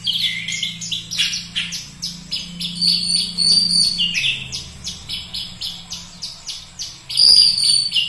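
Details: Kacer, the Oriental magpie-robin, delivering a rapid series of high, sharp chirps and thin whistles in quick succession, with a louder burst near the end and a low steady hum in the background.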